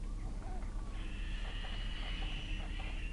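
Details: Evening meal for two fluffy Little owl fledglings just out of the nest, Kalmthout, 11 June 2022; after soft clicks, one sustained hoarse hissing begging screech runs for about two seconds over low rumbling noise.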